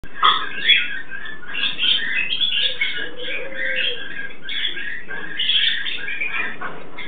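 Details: Captive Turquoise-fronted amazons, a pair, calling while mating: dense, harsh squawking and raspy chatter, continuous with loud bursts near the start, plus a low smooth humming note in the middle.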